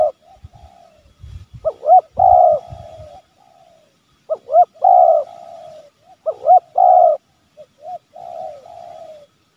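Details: Spotted dove calling and challenging, played to provoke wild doves and lure them near a home or garden: low coo phrases of hooked notes ending in a drawn-out coo, repeated about every two and a half seconds.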